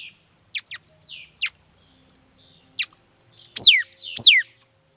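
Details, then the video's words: Mi dat bird gives thin high chips and short slurred notes, then two loud, steeply falling whistled sweeps close together near the end, over a faint low hum. "Tiếng chim mi đất hót chuẩn"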